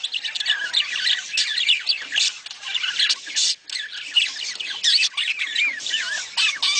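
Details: Mating chatter of budgerigars used to encourage breeding: busy overlapping warbles, squeaky chirps and harsh squawks from a group, nearly unbroken with a brief gap midway.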